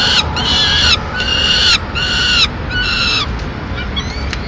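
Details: Peregrine falcon female bringing pigeon remains to the nest in Madrid, mid-morning; four drawn-out, harsh wailing calls about a second apart, fading to a faint thin note at the end, with low background rumble.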